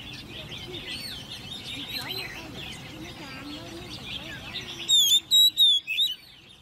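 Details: Oriental magpie-robin, a caged hand-reared ten-month-old, in competition song. After several seconds of overlapping chirps from many birds, a phrase of four loud, clear whistled notes follows, each flat or gently sliding.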